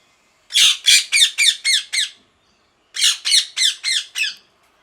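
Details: A parrot calling in two bursts of six harsh, high, buzzy squawks, evenly spaced about four per second, separated by a short pause; quiet indoor setting.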